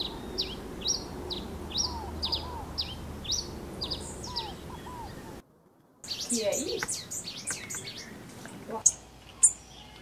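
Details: Wild grey pileated finch singing: a run of short, high, sharply slurred notes repeated about twice a second for five seconds, a brief silence, then a denser burst of varied high chirps over faint low background noise.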